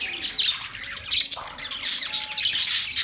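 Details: Budgies chattering together in a dense, continuous stream of high, scratchy chirps and squawks, with a brief lull just before the midpoint before the chatter resumes.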